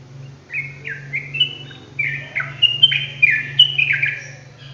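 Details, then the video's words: Yellow-vented bulbul delivering 'ropelan gacor' song: after a soft start, crisp downslurred chirps build into a dense, lively run, accompanied by a persistent low-pitched hum. "TRUCUKAN ROPELAN GACOR"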